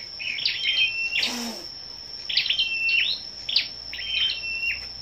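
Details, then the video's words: Scarlet-backed flowerpeckers singing competitively on the morning of 10/05: three bursts of sharp high chips ending in level whistles, a brief rustling noise early on, steady high whine throughout. "Những Chú Chim Sâu Đầu Đỏ Siêng Hót Đấu"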